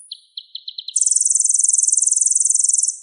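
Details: Caged Van Hasselt's sunbird used as a vocal tutor: a few quick high ticking notes, then a long, steady, rapid buzzing trill at very high pitch.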